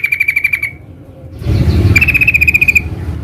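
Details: Sooty-headed bulbul in the wild: two quick rattling trills of evenly spaced pulses, the second louder, against rising low rumbling noise.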